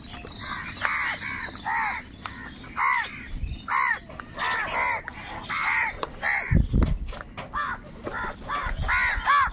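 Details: A dense flock of crows crying out while they fight for food. Harsh, throaty caws pile up almost continuously, and a few low thumps sound underneath.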